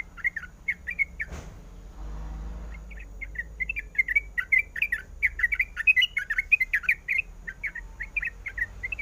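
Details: Calling female sooty-headed bulbul, in breeding condition and summoning the male: a short chirp series, then a sharp knock and a brief hiss, followed by a fast run of bubbly chirps.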